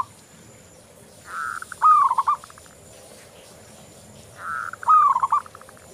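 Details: Local zebra dove (perkutut lokal) singing lively for a lure track: two phrases, each a buzzy hum followed by a short bright rolling run of cooing notes, about three seconds apart.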